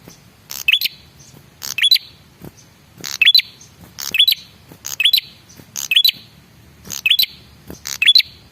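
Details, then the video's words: Male red-headed prinia calling as a lure for answering birds: steady series of loud, high-pitched chirp clusters with a quick rising whistle in each, about one cluster per second, against faint background noise. "suara pancingan burung prenjak kepala merah jantan"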